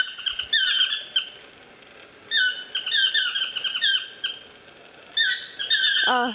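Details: Chestnut-mandibled toucans in trees beside a lodge bungalow, Osa Peninsula, Costa Rica: three separated bursts of ringing, downslurred yelps with a quiet gap between, plus a brief falling squeal near the end.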